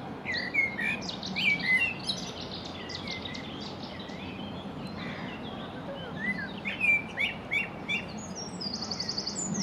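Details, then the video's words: Common blackbird in song on a sawn-off branch stump beside the Long Water: scattered fluty whistles and twittering phrases, with several overlapping bird voices and constant low background rumble. "Blackbird singing on stump"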